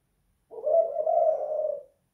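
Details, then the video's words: Indoor spotted dove of the 'kuk 2 / guk 1' style delivering one long, drawn-out, low hollow coo lasting about one and a half seconds, steady in pitch and fading at the end. "Tekukur kuk 2 / guk 1"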